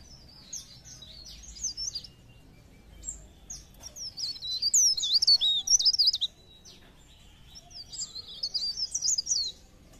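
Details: Pare pare bird song, used to stimulate other birds to sing: high, thin chirps and twisting whistled phrases come in irregular bursts. Quieter pauses separate the bursts over a faint low rumble.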